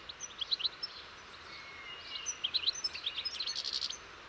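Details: European goldfinch singing faintly against a steady background hiss, with scattered high twittering notes early on, then a denser burst of quick chirps and trills in the second half.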